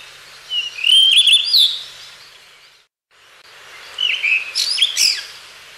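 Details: Blue rock thrush, one of a pair seen at Osaka Castle Park on 10 May 2015, giving two short, clear, mid-to-high warbling whistled phrases, a second of melody each, with a brief pause between.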